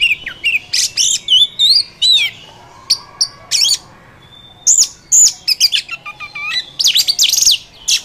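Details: Oriental magpie-robin in the wild sings a rich, varied run of clear whistles, quick upslurs and wavering trills in short bursts separated by brief pauses.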